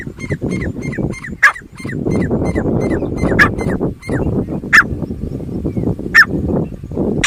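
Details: Grey francolin (titar) calling: a quick run of harsh, arched notes repeats about four times a second and then breaks into scattered single sharp notes. A heavy low rumble of background noise runs underneath throughout.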